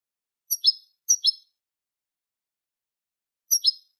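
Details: Tutor song in the Cubia Malaga (Manolo) style for teaching young goldfinches and hybrids. Three brief high twittered double notes are separated by long silences.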